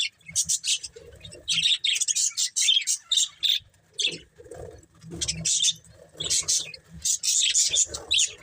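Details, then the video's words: Budgerigar breeding pair chirping in clustered bursts of short harsh high notes separated by brief pauses, with some faint low muffled sounds. "Cute Budgies Chirping Sounds"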